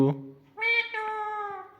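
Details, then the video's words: Indian ringneck parrot kept as a pet, asked to act like a cat, answers with a drawn-out, nasal, meow-like cry after a brief spoken word, in a small room. "Talking Parrot | Clear Voice"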